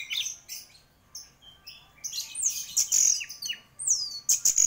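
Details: Anis merah (orange-headed thrush), noted as a top-performing singer, alternating short chirps with long piercing whistles, some sliding downward, in a lively, varied sequence.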